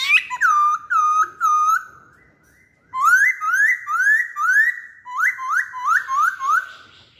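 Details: Masked laughingthrush lure song: four clear whistled notes, each with a downward slide, then a pause and a quick run of upslurred whistles that rise and fall, repeated in two bursts. The room is otherwise quiet.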